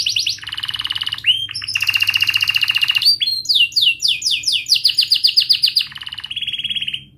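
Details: Canary song for training young canaries: varied rolls and buzzy sustained trills, a rapid run of sharp sweeping notes, ending on a clear steady whistle.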